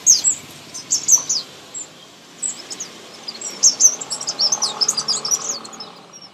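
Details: Nestlings being fed produce bursts of very high, thin chirps, a quieter gap, then a longer, excited string of squeaky notes.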